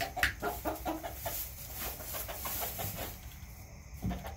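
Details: Several quick, rhythmic clucks from backyard hens open the recording, then fainter scattered clucking continues over low background rumble.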